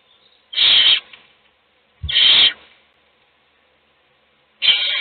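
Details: Loud, rasping half-second hisses, three in five seconds, from an owl nest box where a chick is being fed as the other chicks sleep; a low thump accompanies the second.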